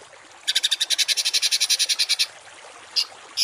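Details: Harsh 'tembakan kasar' songbird phrase from a masteran recording used to train cage birds: a dense, rapid mechanical rattle of about twenty pulses over nearly two seconds, then two short sharp notes.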